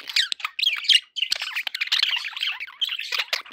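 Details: Pet budgies sounding happy, pouring out rapid, continuous warbling chatter of buzzy squeaks and high chirps with hardly a break.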